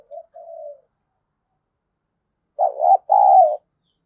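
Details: A decoy spotted dove provokes a fight with its voice. A short soft coo is followed by silence, then one loud, mellow double-noted phrase ending in a sustained low coo.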